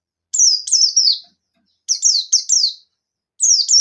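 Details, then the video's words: Buxton's white-eye singing hard to stir other white-eyes: quick bursts of two to three shrill, slurred-down notes, each burst lasting under a second. "Suara Burung Pleci Buxtoni Gacor Ngalas Nembak Memanggil Lawan"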